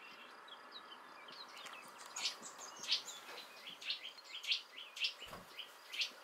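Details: A young hawfinch, fledged from the nest a few days earlier with parents nearby, gives sharp, high, clicking 'tzik' notes about twice a second over a soft hiss of background noise.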